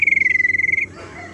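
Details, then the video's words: Tailorbird lure sound for attracting birds and encouraging a silent tailorbird to sing: one steady, buzzy pulsed trill lasting under a second, then quiet. "suara pancingan sirtu teras"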